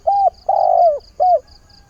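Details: Caged decoy spotted dove, its voice suited to luring wild doves, cooing at the start of the day to call for a mate: three mellow coos, short, then long and sliding down, then short, over a faint steady high whine.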